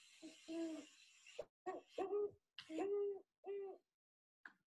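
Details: A Great Horned Owl gives six or seven deep, soft, muffled hoots in an uneven rhythm, likened to a French horn and the mnemonic "who's asleep? me too", richer and more muted than a barred owl; a faint voice behind.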